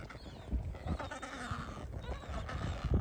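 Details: A noisy, feisty colony of Adélie penguins on Yalour Island, Wilhelm Archipelago, Antarctica, in January 2026, giving harsh, braying, overlapping calls that rise and fall over a low rumble of wind; chicks can be heard among the adults.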